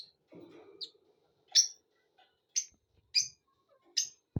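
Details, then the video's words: Lovebirds in happy mood give loud, shrill single chirps roughly once a second after some soft rustling, ending with a sharp click. "love birds happy mood"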